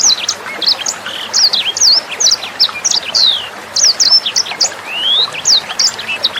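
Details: Sanger bird singing in a tutor recording made for training young sangers and other songbirds: rapid, clear, high whistled notes, many sharply rising or falling, delivered in bursts with short pauses, over faint trickling water.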